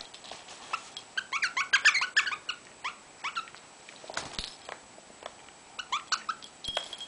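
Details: Pet rosella, twelve years old, calling while playing indoors: bursts of short squeaky chirps and chattering notes, several per second, with a few quiet pauses between clusters.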